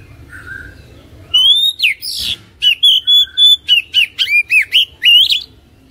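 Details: Caged-bird stimulating song of an Oriental magpie-robin, meant to get a lazy bird singing: a soft whistle, then loud clear rising whistles and rapid varied warbled notes, around four phrases each second, ending in a fading note.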